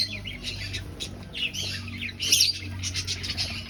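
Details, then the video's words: Aviary finches breeding and looking for a nest; many thin, high chirps overlap in a busy chatter, peaking in a louder cluster midway, with a faint low hum underneath. "Finch Sounds"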